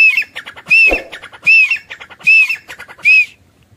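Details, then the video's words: Grey francolin giving a loud, regular call of quick clicking notes, each run ending in a high arched whistle, repeated five times at a steady pace of under a second apart. "Gray francolin teetar sound"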